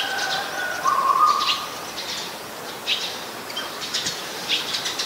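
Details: Eurasian tree sparrows at Ubon Ratchathani, Thailand, 10 May 2020, a very common resident species: a busy patter of quick, high chirps in loose bursts, with a brief steady tone early on.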